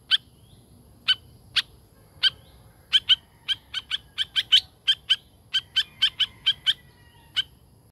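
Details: Tame laughingthrush producing widely spaced sharp ticks that quicken into a regular series of crisp clicks, joined by a soft, drawn-out whistled note partway through.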